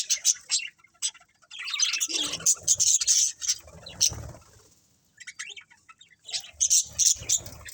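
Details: A colony of colourful budgerigars gives rapid, sharp high chirps and warbling chatter in uneven clusters, with a brief lull before a fresh burst of bright tweets near the end.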